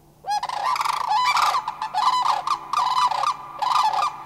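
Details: Three Sandhill Cranes, likely two adults and a juvenile, calling in reply to cranes flying past, Far North Bicentennial Park, Anchorage, Alaska, May 1, 2011. Loud rolling, trumpeting bugles in overlapping bursts, repeated steadily, a rich harmonic chorus.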